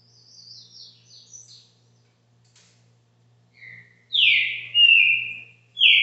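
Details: Green-winged saltator at a Brazilian home giving caxinguelo-style song: soft high thin twittering at first, then after a quiet gap three loud, rich, downslurred whistles delivered in quick succession over a low background hum.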